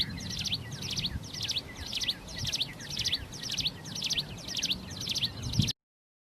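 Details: Wild plain prinia singing eagerly: evenly repeated buzzy phrases, about two per second, over faint low background noise, ending abruptly in silence.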